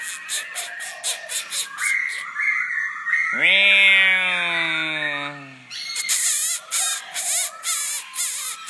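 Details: A kept pet Black-throated laughingthrush singing and displaying: rapid harsh chattering bursts, then a long drawn-out nasal note slowly falling, before quick chatter returns.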